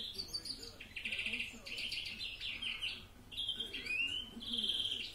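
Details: European greenfinch singing a Florya-style mixed song: rapid dry trills and rattling runs, a rising buzzy wheeze near the four-second mark, then a long sustained buzzy note, over faint low background noise.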